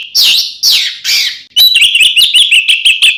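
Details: Oriental magpie-robin, a ngeplong fighting song played to make other magpie-robins aggressive: three harsh rasping downslurred notes followed by a rapid run of sharp whistled chips and trills.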